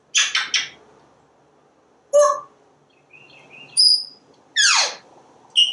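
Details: Talkative pet parrot on a screened back porch watching squirrels and birds: quick rough stuttered syllables, a clipped squeak, a high whistled pip and a raspy downward-sweeping phrase, with soft wild bird chirps behind.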